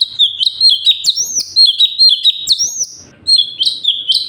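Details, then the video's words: Cucak cungkok, the sooty-headed bulbul, in full 'tembakan' singing used as tutor audio for other birds: fast, high, clear whistles with rising and dipping slurs, delivered almost without a break over faint low background rumble. "CUCAK CUNGKOK SUPER GACOR - UNTUK MASTERAN BURUNG"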